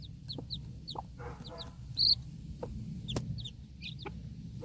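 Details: Broody backyard hen with four young chicks feeding outdoors, kept alert after a dog barks; short clucks mixed with high, thin, downslurred chick peeps in quick scattered bursts, one loud peep standing out midway.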